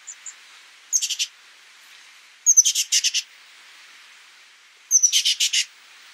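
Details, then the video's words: Oak titmouse repeating a phrase three times, about every two seconds: a thin high note followed by four or five rapid, harsh, buzzy notes. A faint hiss continues between phrases. "Oak Titmouse Bird Sound, Bird Song, Bird Call, Bird Calling, Chirps"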